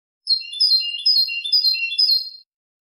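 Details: European goldfinch, canto limpio style, 2023: about two seconds of smooth, flowing twitter with drawn-out high chirps and lower slurred notes in quick alternation, in clean silence.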